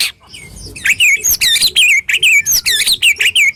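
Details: Murai batu, the white-rumped shama, in a coarse, piercing full-volley song meant to trigger reluctant shamas: a steady string of looping, warbled whistles repeated almost three times per second.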